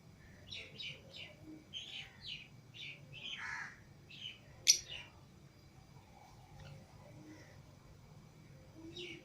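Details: Lovebirds out of the cage with others, green Fischer's and lutino pairs kept as pets; quiet series of short rising chirps spaced about a third of a second apart, one sharp click-like shriek, then near silence.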